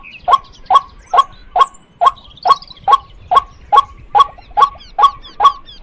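A female white-breasted waterhen gives a steady run of harsh, mid-pitched 'kwak' notes, about two or three each second, with faint higher bird chirps behind.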